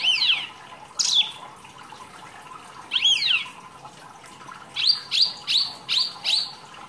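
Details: Wambi, a rarely kept songbird, singing a rich, lively masteran training song: sharp downslurred high whistles, then a quick series of five repeated rising-falling notes near the end, over a steady low background hiss.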